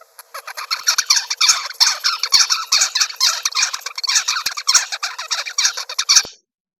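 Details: Juvenile zebra finch (Taeniopygia guttata), about 42 days post-hatch, babbles an unstructured, rambling, buzzy subsong of nasal notes with no set pattern while learning to copy its tutor's song.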